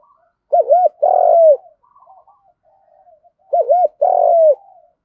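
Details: Spotted dove in the Vietnamese 'giọng đồng' field style, giving a fighting coo meant to lure rivals: two phrases about three seconds apart, each a rapid double arched note then a long falling coo, with faint soft notes between.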